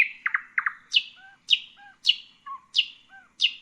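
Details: Rich, varied song of a common nightingale: paired sharp notes, then loud rising-falling strokes repeated roughly every half second, alternating with soft low whistles.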